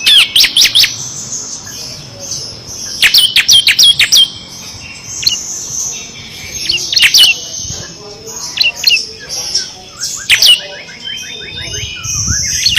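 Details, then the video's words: Bar-winged prinia, known locally as ciblek kristal, in full rapid 'ngebren' song with six variations, a master recording for training competition songbirds; separated bursts of sharp high chirps and trills with quieter gaps between them. "FULL NGEBREN‼️ CIBLEK KRISTAL GACOR ISIAN 6 VARIASI COCOK UNTUK MASTERAN BURUNG PRESTASI"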